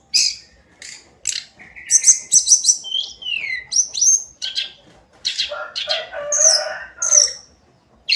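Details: Daily singing of a tledekan gunung, the hill blue flycatcher: sharp chips, a sliding whistled phrase, then a scratchy warbling passage mixed with piercing high notes.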